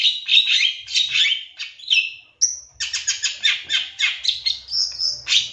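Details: Champion Long-tailed shrike of 2023 giving lure song to rouse shrikes into singing: harsh buzzy chatter repeated several times a second, broken by a brief high whistled note.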